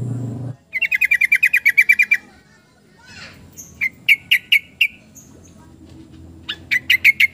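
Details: Yellow-vented bulbul: a fast series of rasping chattered notes, then several spaced sharp notes, ending in another rapid harsh burst; a brief low thump at the start and faint background hum.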